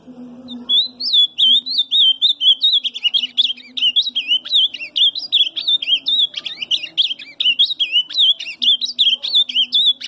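An ultramarine grosbeak keeps up a soft, rambling subsong of quick, varied chirps and warbled high notes, with a low steady hum behind it.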